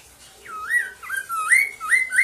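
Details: Poksay mandarin (black-throated laughingthrush) loud song for encouraging other poksay to sing: three or four fluid, swooping whistles, each falling briefly then climbing, in quick clean sequence.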